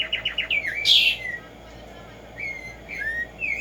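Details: Morning song of a wild Black-striped sparrow (Arremonops conirostris), called tumba yegua: a quick burst of repeated notes and a loud buzzy note, then a pause and a few slurred, sliding whistles.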